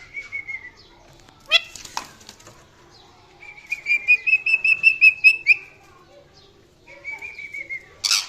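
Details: A parrot calls with steady whistled notes, interrupted by a sharp rasping burst and a flutter. Then comes a long series of rapid repeated chirps on one pitch, more whistles, and a closing squawk.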